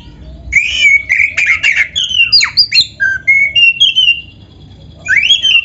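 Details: A black-breasted Oriental magpie-robin sings a lure song rich in canary imitation: a rapid string of clear whistled chirps about four per second, then level whistled notes at varying pitch, a short pause, and a rising slurred phrase.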